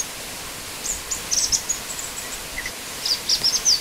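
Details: Black-winged flycatcher-shrike (Hemipus hirundinaceus) giving thin, very high chips and short twittering bursts in quick clusters over a steady hiss of background noise.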